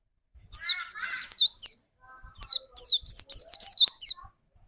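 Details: White-eye trigger song for prompting a rival to sing in 'nembak' style: a rapid phrase of high, slurred falling notes, a short silence, then a second run of quick descending whistles.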